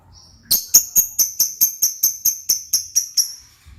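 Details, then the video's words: Lovebird giving a steady series of about twelve bright, ringing, clicking notes at a fairly even pace, which slowly fade out, with a faint low rumble in the background. "burung Lovebird paling keren dan gacor"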